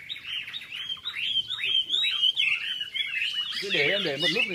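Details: At a 27 April 2014 club session in Long Bien, red-whiskered bulbuls give quick, slurred whistled phrases. A person's voice rises clearly near the end.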